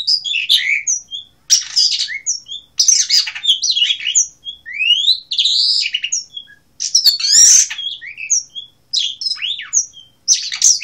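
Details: Asian blue rock thrush in full song: rapid, high twittering phrases with rising and falling whistles and dense chatter, each burst lasting about a second, separated by short silences.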